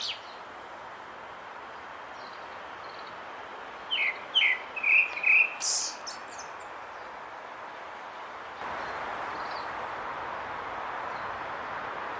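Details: Grey-backed thrush song. One short phrase of four or five quick whistled notes ends in a thin, very high note. Before and after it, a steady rushing background noise that grows louder near the end.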